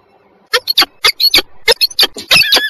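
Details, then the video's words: Peregrine falcon pair in a brief meeting at Żerań, Warsaw, on 14 October 2022; after half a second of quiet, harsh, squealing calls come in quick bursts, several each half second, with a high, grating edge. "ekspresowe spotkanie 14.10.2022 Warszawa Żerań sokoły wędrowne"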